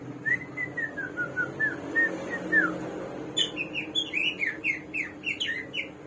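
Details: The samyong or garuwa, a hwamei hailed as having 1001 voices, sings a gently falling series of whistled notes, then switches abruptly to a rapid, bright medley of varied chirps and slurred whistles.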